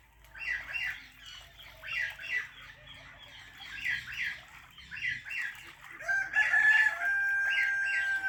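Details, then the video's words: Parrot giving rapid short squawky chirps in quick clusters, about three to four per second, then a steady whistled tone near the end. "Natural Parrot Chirping Sounds"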